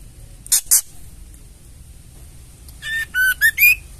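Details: Female white-rumped shama ketrekan call, meant to stir males into song: two rough rasping bursts, a pause, then a run of four clear whistled notes, some with a short rising slur at the end.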